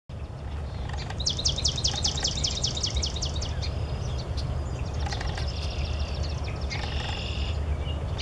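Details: A Swamp Sparrow in a wetland gives a steady, high two-second trill of fast repeated notes, then fainter chips, over a constant low rumble of wind or distant traffic.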